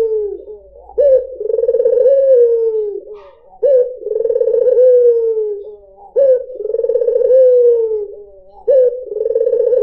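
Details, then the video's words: White Barbary dove, used as a lure to attract other birds: low, mellow cooing phrases, each opening with a sharp note, rolling into a trilled middle and a long, gently falling coo, repeated about every two and a half seconds. "PANCINGAN SUARA BURUNG PUTER PUTIH || SUARA BURUNG PUTER MERDU"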